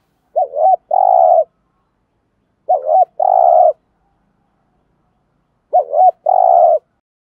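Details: Spotted dove used as a lure bird, cooing to draw in wild doves: three evenly spaced low phrases, each a short wavering note followed by a longer, steady, throaty coo, with silence between.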